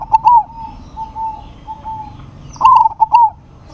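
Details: Local zebra dove calling to a rival, which responds: soft drawn coos, then a loud rapid run of trilled, stuttering notes with two short tonal endings.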